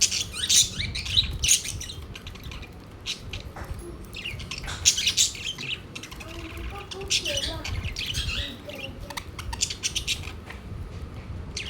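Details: Several pet budgies around the food plate chatter with dense high chirps and twittering in clusters, while a human voice is also heard in the room.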